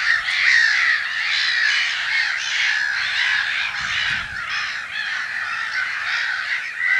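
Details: Many black-headed gulls at a spring nesting colony in Brenne, Berry, France, mid-March 2012, recorded from an observatory: a steady wall of raucous, grating cries overlapping without pause, a few sharper squeals standing out.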